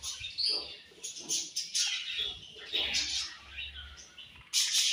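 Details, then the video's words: Colony of budgerigars at morning feeding time, dense high chirps and warbles in bursts with short quieter gaps, a sharp loud burst at the end. "Budgies Morning Food And Chirping Sounds"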